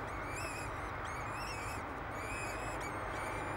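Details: Two peregrine falcon chicks, hatched 10 May 2007, being fed at a nest on the tower of Derby Cathedral, England; thin, high whistled squeals rise and fall in quick repeated bursts over a steady background hiss.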